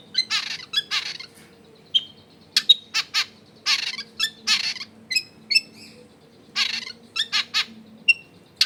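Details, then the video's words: Long-tailed shrike singing as a lure for other shrikes, recorded in a crowded residential area: scratchy broadband bursts mixed with short sharp whistled pips, irregularly spaced, over a faint low hum. "SUARA CENDET GACOR PIKAT AMPUH BIKIN BURUNG CENDET LAIN LANGSUNG ON DENGAN MUDAH NYAUT GACOR DOR"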